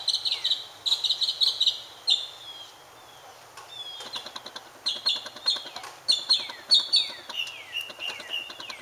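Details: A mockingbird seeking a mate opens with a fast, even string of high chips, then shifts to sweeping downslurred whistles repeated in rapid series. Brief quiet gaps fall between the phrases.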